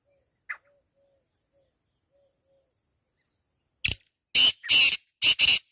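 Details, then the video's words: Wild black francolin calling in a natural setting in Pakistan: faint thin notes, then a sharp click and three loud, harsh, grating bursts in quick succession near the end. "Kala Teetar Ki Awaaz | Real Wild Black Partridge Sound | Jungli Teetar Calling"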